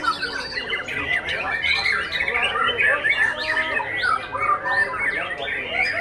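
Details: Young Oriental magpie-robin performing, pouring out a dense, fast chattering song of rasping squawks and quick whistled sweeps that overlap almost without pause throughout.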